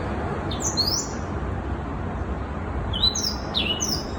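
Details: A young black-throated canary aged six months sings brief high twittering phrases, a few swift slurred notes early and again near the end, with persistent low rumbling noise beneath.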